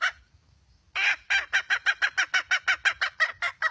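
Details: Red junglefowl hen: one raspy note, a short pause, then an even train of harsh clucks, roughly three per second, against quiet low rumble.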